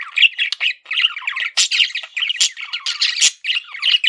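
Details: Pet male budgerigar giving nonstop, busy chatter: squeaky chirps mixed with harsh, grating squawks in quick irregular succession, with barely a pause.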